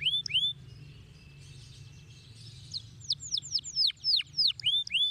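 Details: Canary giving a couple of swooping whistles, a quiet stretch, then a series of loud downslurred whistled notes repeated roughly three times a second over soft background hum.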